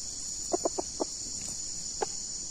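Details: Red junglefowl (Gallus gallus) giving low, short clucks, four in quick succession and then one more a second later, over a steady high insect drone; recorded while luring near two junglefowl.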